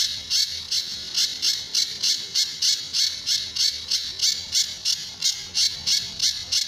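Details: Sunda bush warbler master song with the characteristic tembakan and besetan, used to coax other birds into singing: rapid, even series of rasping high-pitched bursts repeating about three times a second throughout.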